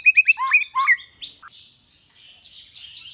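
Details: White-rumped shama singing a rich 'giọng dây' (string voice) training song: a quick cluster of slurred whistled notes falling and rising, then fading high faint notes.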